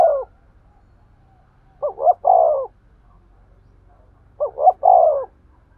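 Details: Repeated spotted dove coos in the kích bổi style for exciting a male: two full phrases spaced about two and a half seconds apart, each two short rising notes leading into a long, hollow, falling coo.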